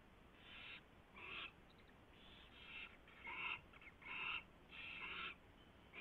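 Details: Owl at its nest during a mouse delivery and feeding, 4:21 AM, 24 February 2016; uneven raspy screeches, louder in the second half, arriving every half second to second.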